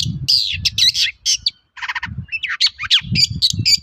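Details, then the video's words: Long-tailed shrike singing as a lure for other shrikes to answer: loud mixed phrases of harsh buzzy notes, a short rattling chatter and quick whistled slurs, with low thumping noise beneath. "BANYAK CENDET NYAUT MENDENGAR SUARA BURUNG CENDET GACOR INI"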